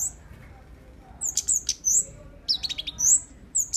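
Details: Tame flowerpecker kept as a bird, singing actively: scattered very high, thin chirps, some slurred downward, plus a quick stuttering cluster of notes, in otherwise quiet surroundings.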